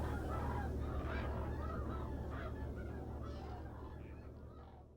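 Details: A single Whooping crane, fostered among sandhill cranes, gives loud, honking, trumpet-like calls in quick repeated bursts over a heavy low rumble of wind or background noise.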